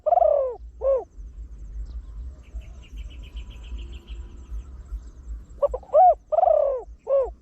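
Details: Deep-voiced trained Spotted Dove used as a lure for wild doves, cooing in the fast 'khan yon one kuk' style. Arched, throaty coos open and close the phrase, each group a stuttered lead-in then long bowed notes, with a faint high chirping between.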